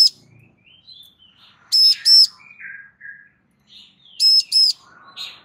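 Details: Female Bar-winged prinia calling for a male's reply: two bursts of loud, bright paired notes about two and a half seconds apart, with faint chirps and slurred twitters in between.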